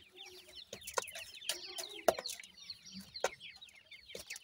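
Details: Iranian francolin (irani teetar) chicks giving quick falling cheeps in a busy overlapping chorus, with loud tapping knocks at irregular intervals.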